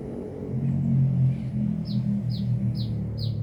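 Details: Sunbird from Binjai: after a loud low engine-like rumble, four high, quick descending chirps arrive near the end, evenly spaced.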